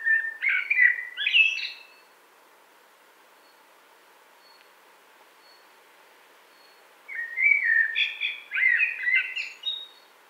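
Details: Blackbird singing two separate phrases five seconds apart, each mellow and whistled, rising into a strained, high-pitched chatter at the close.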